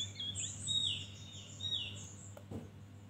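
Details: Opior Jawa, the Javan grey-throated white-eye, giving ngeriwik song: clear, high whistled notes that slide and sweep up and down, in linked phrases, ending with a couple of soft clicks, against a low background hum.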